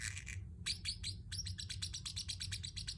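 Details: Pet Pacific parrot chirping: a rapid series of sharp, high chirps, some dropping in pitch, with a short pause after the opening notes, over a steady low hum.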